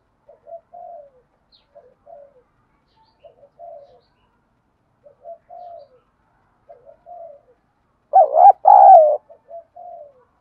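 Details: A spotted dove's urging coo in the 'đồng thổ' style, for stirring other doves to reply. Mostly soft, short coos are repeated steadily. One loud full phrase near the end: a wavering double note, then a long falling coo.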